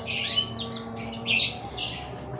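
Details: A sick chicken with flu and congested breathing, refusing food and only drinking, breathes with a rough, rattling snore: quick raspy bursts, several a second, then a louder gurgling wheeze, over a faint steady hum.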